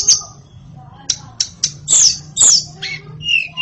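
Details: White-rumped shama song: a short series of separate high whistled and buzzy notes with brief pauses, some sliding downward, and a low steady hum underneath.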